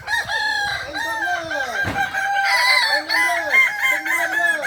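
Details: Kukuak Balenggek rooster in a contest final at Ampang Kualo, Kota Solok, 8 September 2024. It gives loud, clear crows broken into rapid rising-and-falling syllables, repeated several times, with a sharp thump near the middle.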